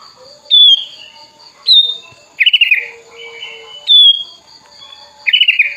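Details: A tame sooty-headed bulbul raised from a chick, wings opened as it calls out a rival: clear downslurred whistles alternate with short bursts of fast stuttering chirps, repeated several times, a faint steady hum behind.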